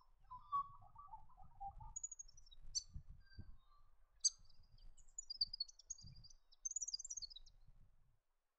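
Yellow-rumped Thornbill giving high, thin tinkling notes and quick twittering phrases, with a lower warbling bird at the start and faint low rumble.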